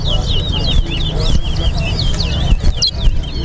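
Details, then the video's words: Chestnut-bellied seed finch, known locally as towa towa, singing in a head-to-head bird-song contest in Guyana; continuous quick, looping whistles and trills, with a low background hum and faint voices. "Towa Towa Singing Competition"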